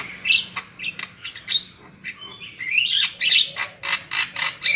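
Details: Black-winged myna song used as a lure recording to make birds sing loudly: harsh squawky bursts alternating with short whistled notes, a rising whistle near the middle, then rapid repeated grating phrases.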